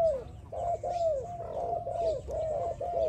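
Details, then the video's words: A spotted dove in song training sings a run of soft, hollow, arched coos, about six in three seconds, over a faint low background rumble. "Training Spotted Dove, Sound spotted dove training singing so love."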